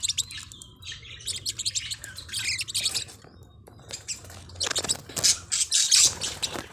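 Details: Chattering Forpus parrotlets: thin high twitters and squeaks, a quieter stretch midway, then a louder burst of rapid chirps near the end, low hum throughout.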